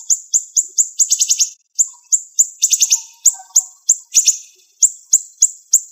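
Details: Siri-siri bird, sharp rapid tight bursting song for training songbirds; high clipped chirps about four per second interrupted by several buzzy rattling flurries, with faint lower whistled notes.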